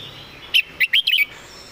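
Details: Tutor Red-whiskered bulbul delivering one crisp phrase: four or five fast, bright whistled notes bunched into under a second over a faint background hiss.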